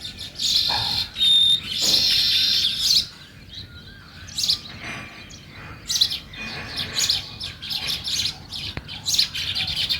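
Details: Group of sparrows chirping at dawn: loud clustered chirps during the first three seconds, then sparser, irregular tweets over soft background noise.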